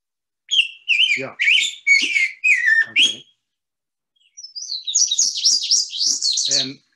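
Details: Indigo bunting song from the northeastern region, played during a nature lecture: a run of paired, slurred high notes that step downward over about three seconds, then after a pause a higher, faster, buzzier phrase.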